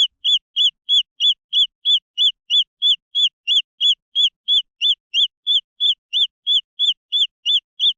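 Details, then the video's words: Repeated high cheeping from green junglefowl chicks, short arched notes delivered at a regular pace of about three each second, clean and without other sounds. "The Sound of jungle fowl chicks"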